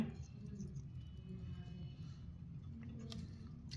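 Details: Low muffled indoor rumble with a few faint clicks and no clear animal voice.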